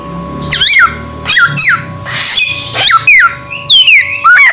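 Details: Samyong bird giving spaced, harsh notes that slide downward in pitch, with one longer noisy burst and higher whistled loops near the end, over indoor hum.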